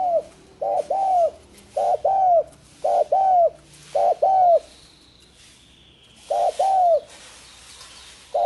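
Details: Spotted dove, a bird now becoming rare in the wild through hunting but widely bred by keepers, cooing: repeated soft two-part coos, a short note followed by a longer drawn-out falling one, given in a steady series with one longer pause.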